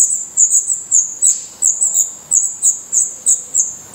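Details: Nest of Black redstart chicks in Portugal, eyes open and growing their definitive plumage: sharp, very high squeaky chirps repeated in quick bursts about every third of a second over a steady high hiss.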